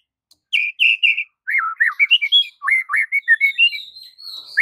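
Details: Master song of a white-rumped shama, used to tutor silent birds: a lively stream of clear whistled notes, rising and falling slurs in quick succession, ending in a thin high drawn-out whistle.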